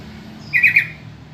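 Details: Yellow-vented bulbul giving a lure call meant to make other bulbuls answer: a short, bubbly burst of chattering notes lasting about half a second, with faint low hum underneath.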